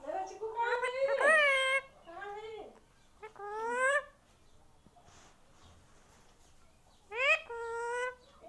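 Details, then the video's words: Tame pet Indian ringneck parrot, said to be saying mummy papa: loud, nasal, harmonic squawk-like syllables with rising glides in three bursts, at the start, around the third second and near the end, separated by quiet room pauses. "parrot talking।। मम्मी papa बोलने वाला तोता"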